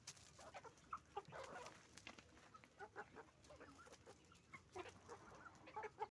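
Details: Roosters and hens calling on a chicken farm; irregular bursts of clucking and brief squawks from the flock, a rougher noisy call around one and a half seconds, over a constant low background hum.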